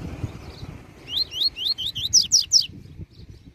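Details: Double-collared seedeater master bird singing the Tui Tui Zel Zel song style for tutoring: about eight clear, rising whistled notes in quick succession, the last three louder and steeper.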